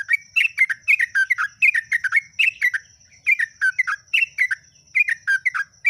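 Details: Yellow-vented bulbul (trucuk) in full ngeropel song, rapid and continuous: a dense run of bubbly, liquid, slurred notes with scarcely a break, over a constant thin high-pitched hum in the background.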